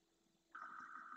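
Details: At night on a dry lagoon bed in the Doñana marshes, Spain, a solitary Northern lapwing foraging for invertebrates away from its distant flock gives one loud, nasal, drawn-out call, steady with a slight waver, after near silence.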